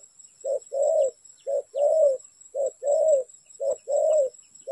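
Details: Spotted dove, used as a lure for trapping, cooing in clear low phrases: a short note followed by a longer, slightly falling coo, the pair repeated about once a second, four times, over a steady high thin whine.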